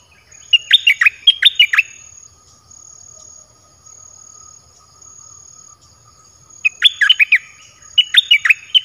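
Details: Song of a red-whiskered bulbul kept in a cage, used to bring in wild birds: paired bursts of rapid, clear warbled whistles at the start and again near the end, with a long quiet pause between.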